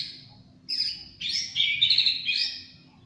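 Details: Champion white-rumped shama singing cililin bursts: rich, varied, rapid phrases of bright warbled and trilled notes, several overlapping pitches in quick succession, over a faint low hum.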